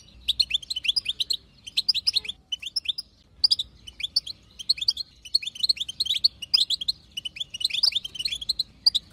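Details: Chatter of a female, wild-type European goldfinch, used to prompt a goldfinch to sing: bright, tinkling twitters and liquid trills in fast bursts, almost continuous, with brief pauses between phrases.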